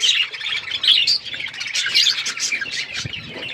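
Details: Budgerigars chirping while eating seeds, a brief burst of bright high twitters and warbled notes from several birds, closely overlapping.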